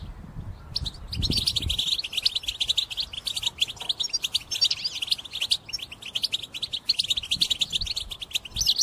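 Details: Caged European goldfinch giving an intense song used for trapping: a long, unbroken run of fast high twittering and buzzy chirps, with low thumps near the start.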